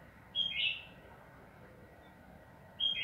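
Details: Energetic sooty-headed bulbul song of the long 'ropel panjang' style, meant to prompt other birds to sing: two quick, rich, warbled whistle phrases about two and a half seconds apart, with quiet background hiss between.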